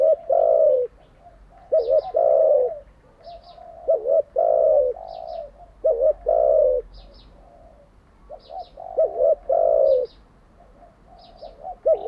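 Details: A spotted dove, used as a decoy for training captive doves, coos steadily: about five phrases, each a quick double note and a drawn-out falling coo. Thin, high twitters of other birds recur behind it.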